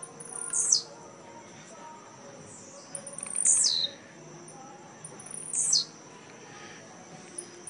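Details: Caged blue-black grassquits (tiziu) competing in a singing tournament at Jacarepaguá, Rio de Janeiro, Brazil, on 18 November 2017. Three sharp, buzzy notes swoop down from very high pitch, spaced about two and a half seconds apart, over faint steady background hiss.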